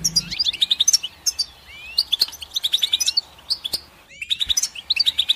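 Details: Goldfinch song in phrases of quick, tinkling chirps broken by short pauses, with rising slurred whistles between bursts and a brief lull before a final lively flurry.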